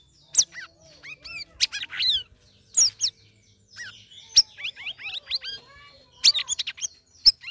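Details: Ngeriwik ngeplong singing by a caged sooty-headed bulbul after three weeks of ombyokan care: varied sharp chirps, descending whistled slurs and short twittering phrases spaced irregularly through the passage, with little background noise.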